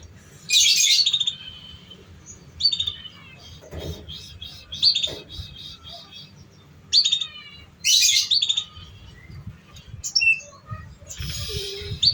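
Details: Lure recording for young canaries learning to sing: loud, dense, buzzy high bursts alternate with rows of rapid ticking chirps and brief whistles, repeated throughout over a low hum.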